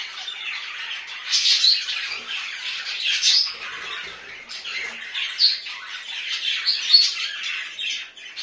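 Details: Budgies in home care producing raspy, high chattering, with louder squawky bursts rising roughly every two seconds over a steady twitter.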